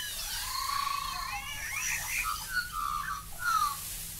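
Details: In Australia, a Black-backed Magpie gives rich, flute-like warbling whistles that slide up and down through several quick phrases, over a faint low hum.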